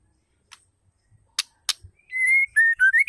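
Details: White-rumped shama female calling to stir males into song: two loud clicks, then a long steady whistle followed by a string of short clear whistles, some dipping and some rising.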